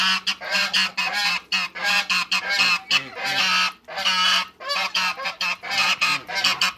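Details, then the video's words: African geese, two males and one female, kept in a backyard, give loud harsh honks in rapid bursts, many overlapping, with short gaps between volleys. "TWO MALE ONE FEMALE AFRICAN GEESE AFTER THE CREATE WATERBIRDS IN THE BACKYARD"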